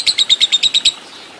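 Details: Lovebird heard in a training recording for long ngekek chattering: a fast run of eight sharp, high chirps, about eight per second, evenly spaced and then stopping abruptly, with a light hiss behind.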